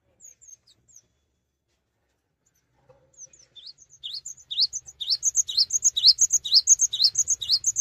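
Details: Cinereous tit in strong song while keeping still, to get other tits singing: a few thin, sparse notes at first, building into a fast, steady string of loud, high, ringing two-part phrases roughly twice a second.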